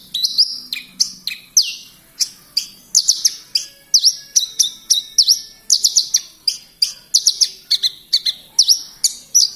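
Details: Branjangan lark from Kediri in vigorous song, mixing V-shaped whistles, quick clustered chirps and sliding high notes in a fast, varied sequence.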